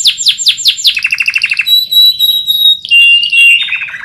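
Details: Canary singing as a training master for other birds: repeated downward-sweeping notes, a quick lower trill, a long pure high whistle, then a rolling trill dropping in pitch.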